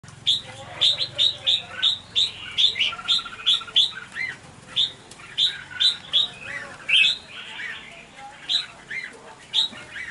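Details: Red-whiskered bulbuls fighting over food and pecking each other fiercely chatter in a quick, overlapping stream of harsh, bright chirps and squeaky notes, several at once; recorded 16 January 2023.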